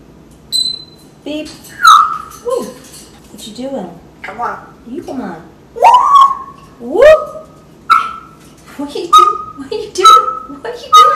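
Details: Pet African grey parrot indoors performing mimicked sound effects: a run of rising whistles and squeaky electronic-like notes, then clear flat whistled tones repeated about once a second, with a person's voice in the room.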